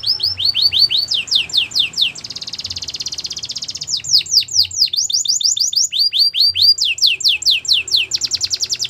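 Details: Belgian canary song: repeated downward-sweeping whistles in quick series, a soft rasping rolled trill, then more sweeping notes alternating with fast high rolls; a faint low hum underneath.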